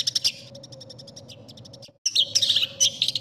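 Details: Long-tailed shrike tutor song for contest training: a few loud high chips, then a soft, fast series of faint clicks, a short silence, and then loud, harsh, scratchy bursts. A low hum is present.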